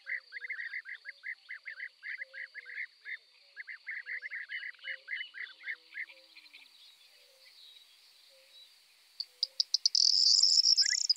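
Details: Eurasian tree sparrow (Passer montanus) in a fast run of clipped chirps for about six seconds, then quiet, ending with a burst of loud high hissing clicks.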